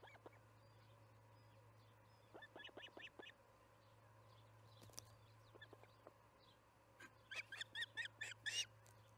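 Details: Evening feeding at the Charlo osprey nest, July 9, 2019, 6pm MDT. Repeated series of loud, sharp chirping whistles, building to a rapid run near the end, over a steady low hum.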